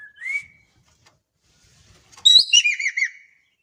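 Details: In Indonesia, a Javan kingfisher, described as a lively caller, gives a single rising whistled note, falls silent, then bursts into a loud, rapid run of five harsh down-slurred chattering notes.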